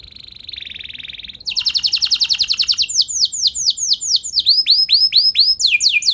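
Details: Canary singing on a lure recording that prompts other canaries to join in: a soft buzzy trill, then a loud rapid trill, followed by quick repeated curved whistles and chirps.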